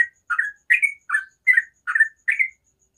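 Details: Morning song of a sooty-headed bulbul: seven evenly spaced, rounded chirping notes, roughly two per second, over a faint background hum.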